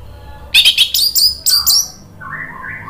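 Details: Orange-headed thrush lure song meant to coax silent birds into singing: sharp, very high chattering notes in quick clusters, followed by softer, lower slurred whistles.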